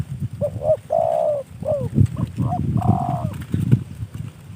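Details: Gifted spotted dove cooing in two phrases of soft, hollow notes, each with a long, slightly falling central coo, over a steady low rumble and faint knocking sounds.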